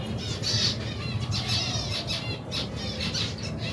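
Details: Finch colony of more than 120 pairs with young birds, feeding in cold weather; many overlapping short, high, harmonic chirps and squeaks in quick bursts, with a steady low rumble and rustling underneath.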